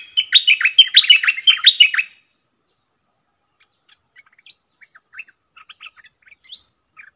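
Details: Streaked bulbul, a wild forest bird described as probably male with tonal notes, used as a decoy sound: two seconds of loud, rapid, slurred chirping notes, then quiet scattered faint chirps and one rising whistle after a pause.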